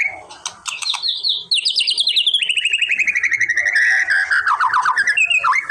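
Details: White-rumped shama song played to provoke a response: a few sharp clicks, then a long rapid stuttering series of descending whistled notes, fast and rhythmic, ending in a falling slur.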